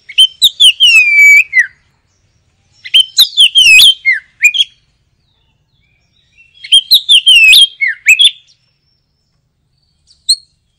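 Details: Oriental magpie-robin in full, chattering song: three loud bursts of rich whistled notes with sweeping falling slurs and sharp clicks, each burst lasting about one and a half seconds with short silences between.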